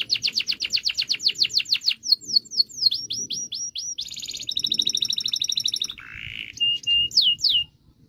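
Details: Canary in full song meant to prompt silent canaries to sing: fast repeated downslurred notes, clipped chips, a buzzy trill and a rattling low segment, then sharp whistled downsweeps, each phrase changing after a second or two.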